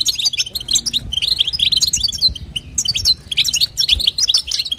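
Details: European goldfinch female calling to stimulate the male, bursts of thin, tinkling twitters rising and falling in quick clusters, separated by short breaks, light low hum behind.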